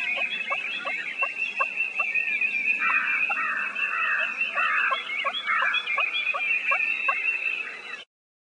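Wild turkey tree call: soft, muffled nasal yelps repeated two or three times a second, over a steady high insect drone.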